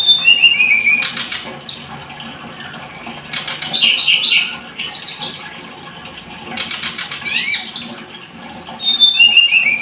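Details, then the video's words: Blood-breasted flowerpecker singing in bursts of sharp, very high chips and falling whistles, each burst starting with a wing flutter, separated by short pauses. "Kicau Tledekan Gunung"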